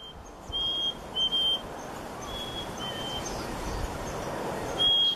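A chickadee gives clear, pure whistled notes, each about half a second long and steady in pitch, over a low rumble of distant traffic.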